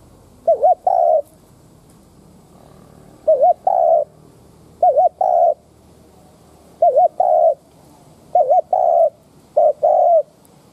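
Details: Lure spotted dove calling to provoke rivals: each phrase is a quick wavering double note followed by a longer falling coo, repeated every one to two seconds with quiet gaps.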